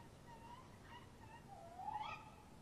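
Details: Tawny owls, a male and female, call back and forth at a nest box around 3 a.m. on 23 March 2015. Faint wavering tones build to a louder, rising call near the end.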